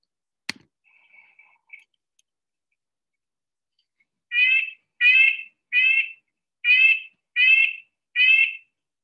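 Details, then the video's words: Red-breasted Nuthatch in the Sierra Nevada forest around Tahoe in winter giving six nasal, horn-like notes, each about half a second, at a steady pace after a sharp click and a few faint notes; sounds like a horn-based car alarm. "If you're hiking or skiing or walking through the forest, a lot of times if you hear that sound, you're most likely hearing a red-breasted nuthatch."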